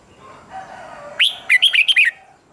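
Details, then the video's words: Red-whiskered bulbul in a singing contest giving one short, lively phrase of five or six clear warbled notes after a soft low murmur in the background. "Kích Chào Mào Hót Đấu"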